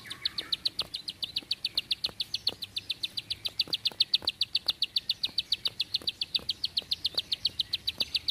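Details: A bar-winged prinia sings a long, tight volley of high, sharp notes, about five or six each second, held at an even pitch with faint clicks underneath.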